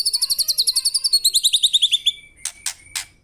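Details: Murai (white-rumped shama) singing gacor: a fast series of about twenty bright, repeated downslurred notes, then three sharp broadband clicks.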